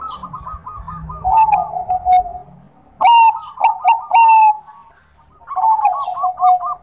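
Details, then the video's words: Bangkok-type zebra dove (perkutut) singing actively: quick rolling coo series, then loud harsh-edged burry notes repeated about every half second. Another fast bubbling run follows, with low background rumble early on. "Perkutut Bangkok Gacor, Bagus buat pancingan yang susah bunyi"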